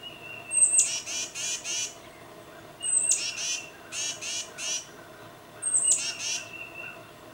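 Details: A tufted titmouse calls its mate with three evenly spaced bursts, each a high thin whistle and then three or four coarse, buzzy jeer-like notes. Recorded with a Nikon D800 and 600mm lens, little else audible.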